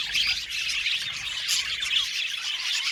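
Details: Many budgerigars in an aviary colony, a steady wall of high, scratchy chirps and twitters, with one sharper squawk standing out midway through the constant chatter.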